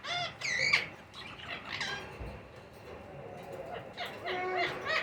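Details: Young Indian ringneck parakeets at feeding time, uttering harsh nasal squawks in short bursts at the start and end, separated by a quieter pause.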